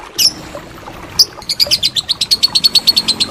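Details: Lovebird ngekek used for training contest birds: two separate sharp chirps, then a quickening series of high clipped notes settling into a fast steady trill.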